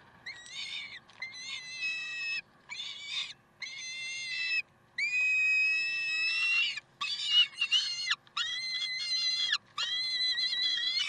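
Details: Peregrine falcons recorded in Karlsruhe on 30 May 2010: harsh, drawn-out screaming calls with rich harmonics, repeated in bursts about a second long and separated by short silences, with a faint steady hum underneath.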